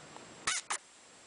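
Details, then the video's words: A 16-week-old male pet parakeet, growing sleepy, makes two quick, broad smacking clicks, a kiss-like sound, about a quarter second apart, while kissing a toy companion in a quiet room. "Cute Baby parakeet making sounds of kissing"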